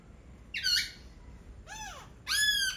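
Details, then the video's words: Singing laughingthrush gives a bright falling whistle, then an arched, bell-like note that rises and drops, then a strong harmonic phrase at the end. "Khướu hót cực hay."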